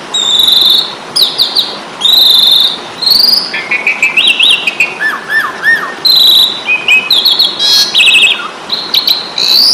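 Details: Asian pied starling fighting song used to train kept birds: loud clear whistled notes, buzzy rattling phrases and falling slurred chirps, delivered in bursts of about a second with short pauses.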